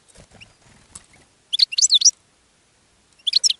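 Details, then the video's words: Goldfinch singing in a cage to attract other goldfinches: soft rustling and faint chirps at first, then two loud, tinkling, rapid twittering phrases with swooping notes, about two seconds apart. "GOLDFINCH SINGING in a Cage and Attracting Other Goldfinches"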